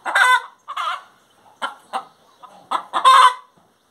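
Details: Hen singing with spaced, harsh clucks and cackles, each note short and broad, ending on a louder, longer cackle.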